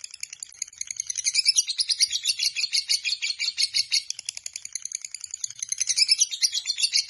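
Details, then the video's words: High, rasping lovebird chatter from Biola, a long ngekek performed day and night, pulsing quickly and unbroken with slight swells in loudness throughout. "Lovebird BIOLA ngekek panjang SIANG MALAM"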